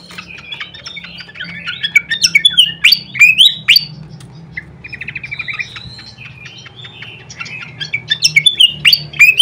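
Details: A flycatcher (srikatan) lure recording: rapid, high, twittering chirps and sharp up-and-down whistled sweeps in lively bursts, with a faint low hum underneath.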